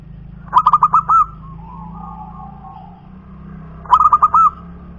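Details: Local wild-type zebra dove cooing: a stuttering run of five quick pulsed notes ending in a held coo, a soft low murmur between, then the phrase repeated about three seconds later over faint background hum.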